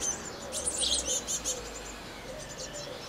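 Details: Blue tits at a nest box, 8–9 May 2020: a quick run of thin, high chirps, about five in the first second and a half, then fainter notes, over a low steady hum.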